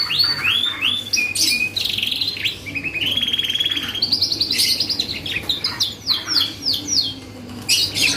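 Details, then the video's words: Canary song played as a lure to trigger other birds: varied phrases mixing rising chirps, a steady buzzy rolling trill in the middle, then quick repeated notes and downward sweeps. "PANCINGAN BURUNG KENARI GACOR || BONGKAR ISIAN LAWAN || FAST RESPON 100%"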